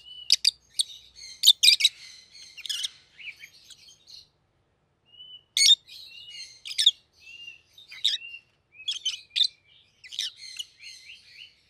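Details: Rosy-faced lovebird pair kept as pets, one yellow, one green: long run of piercing clipped chirps and squeaks mixed with buzzy chattering and short upslurred whistles, pausing briefly midway before resuming.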